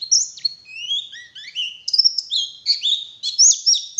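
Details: Morning lure song of a white-eye in wild style: varied whistled phrases, some rising and some falling, with sharper high notes interleaved, fairly bright and uneven in rhythm.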